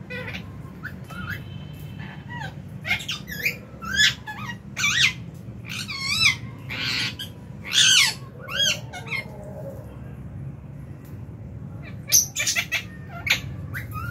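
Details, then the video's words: Lovebirds in an aviary at meal time in January 2023, including albino, Fisher's and lutino birds, with budgies present. Bursts of quick, sweeping, twittering chirps alternate with short quiet gaps over a steady low hum. "Lovebird Chirping Sounds"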